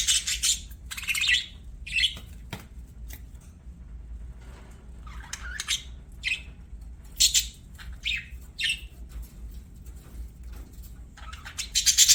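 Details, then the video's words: Pet budgies chirping and singing during play, scattered short scratchy notes and squeaky squawks spread across the stretch, some rising, over a faint low room hum. "BUDGIES SINGING PLAYING"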